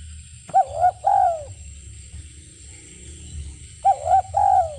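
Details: Spotted dove cooing in two matching phrases about three seconds apart, each a couple of quick hoots followed by a long descending coo; a sharp click precedes the first phrase.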